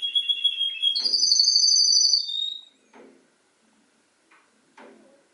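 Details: Canary mimicking other birds' songs, opening with high whistled notes that run into a loud rolling trill for about a second, then falling quiet apart from a few soft clicks and taps.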